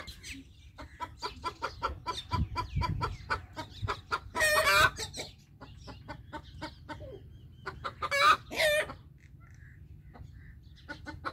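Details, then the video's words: Alert call of a rooster, steady trains of sharp clucks punctuated by two loud, strident squawks several seconds apart, with quieter pauses between bursts and a low background rumble. "Rooster Alert Call"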